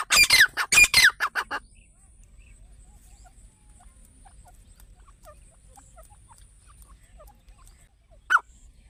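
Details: Grey francolin (teetar), used as a hunting sound: a brief, loud flurry of harsh, rapid notes that stops abruptly, followed by near silence and one lone sharp note near the end.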